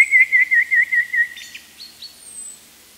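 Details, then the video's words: A Eurasian blue tit gives a quick run of six wavering mid-high notes in just over a second, then a few faint, thin, high tseep notes. "Mésange bleue"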